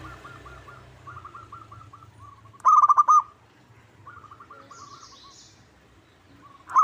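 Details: Local zebra dove (perkutut) lure call, meant to make a bird sing and answer a rival. Soft, rapid, trilled cooing phrases repeat throughout, broken by a sudden loud burst of stuttering coos midway and another at the end.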